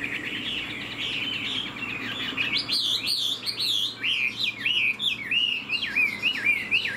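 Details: Caged Chinese Hwamei with fanned tail and fresh new plumage, flicking its tail while singing: a loud run of rapid, looping whistled phrases, slurred up and down, growing more varied after the first few seconds.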